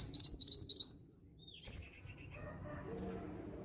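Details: Calling female grey bushchat, used to coax young males into singing: a fast run of about six sharp, high chirps in the first second, then softer lower notes over a background hum.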